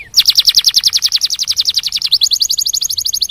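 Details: Canary song used to stimulate other canaries to sing: a fast, even trill of high repeated notes, about three per second's fraction, shifting after two seconds into a slightly lower, quicker rolling phrase.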